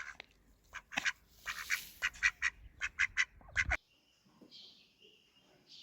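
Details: Ducks, male and female, feeding and wary of the person nearby: a run of loud, evenly spaced nasal quacks, then a sudden drop to soft hiss and faint background noise.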